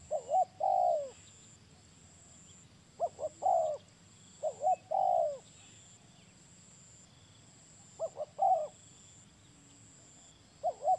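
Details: Spotted dove giving low, mellow coos in short clusters, with quick paired notes followed by a longer, rounded coo, separated by silent gaps of one to three seconds.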